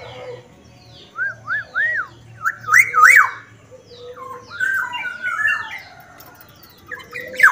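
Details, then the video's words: Black-naped oriole from Sumbawa in full, vigorous song: three arched fluty whistles, then a quicker looping phrase of liquid notes and a wavering whistled run, with faint chirps behind. "suara Asli kepodang Sumbawa Gacor"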